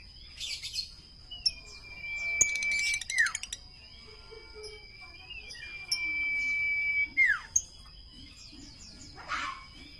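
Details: Common iora singing: two long, steady whistles, each held over a second before dropping sharply at the end, about four seconds apart. Short high chirps and trills from other birds are scattered between them, over a constant thin high-pitched tone.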